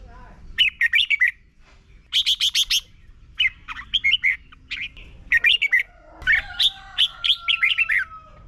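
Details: Red-whiskered bulbul singing a slow, clear doubled song meant for young birds to copy: repeated bursts of bright whistled notes in fast groups, several phrases in a row, with a steady thin tone briefly behind.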